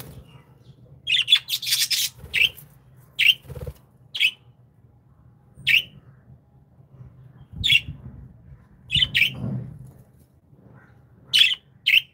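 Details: Pet budgerigars, described as happy Australian parrots, chirping indoors: short bright squawky chirps repeated in irregular bursts, some doubled or clustered, over a low steady hum with soft rustling.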